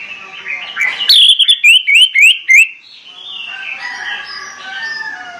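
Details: Morning song of an orange-headed thrush, meant to excite other birds into song: soft warbling builds into a run of five loud, bright whistled notes, each sliding upward, then fades back to quiet chattering.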